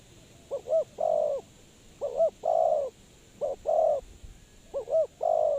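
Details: Lure spotted dove for bird trapping, calling with low mellow coos. Each phrase has two clipped rising-falling notes and a longer held coo. Four phrases come in quick succession.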